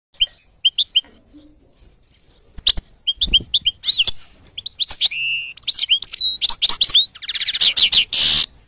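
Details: Yellow mutation European goldfinch singing: a lively jumble of short twittering notes and chirps that grows denser, ending in a fast buzzy trill.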